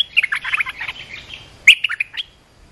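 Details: Lively, jumbled chirps and warbling notes from an olive-winged bulbul, used as a lure and training recording for young birds. One run of notes is followed by a brief pause and a second bright flurry.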